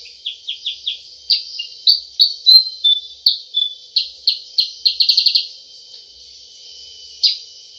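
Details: Lively 'cep cep' calling of a sooty-headed bulbul, used to lure birds: high, clipped chirps mixed with a few longer whistled notes, speeding into a rapid trill near the middle, then a pause and one final chirp.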